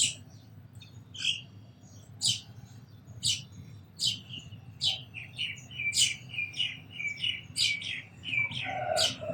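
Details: Sparrow chirping that starts with spaced, sharp, high notes and then quickens into a dense, excited chattering run, ending with a lower harsh note from another bird.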